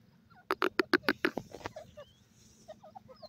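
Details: Francolin chicks calling: a quick burst of about ten harsh, clucking notes packed into a little over one second, followed by softer, scattered chirps over a low, steady hum.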